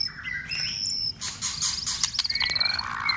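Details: White-rumped shama in song-contest training, urged to sing hard: dense, fast run of varied whistles, chattery notes and high pure tones overlapping almost without pause.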